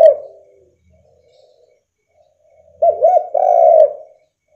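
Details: Spotted dove, an eager caller meant to provoke rivals into calling; the fading end of one coo, near silence, then a phrase of two wobbling short coos and a long, sustained low coo.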